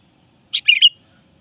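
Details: Sooty-headed bulbul giving a short, sweet song phrase: one bright note, then a quick bubbly run of three warbled notes, all high-pitched, in an otherwise quiet setting.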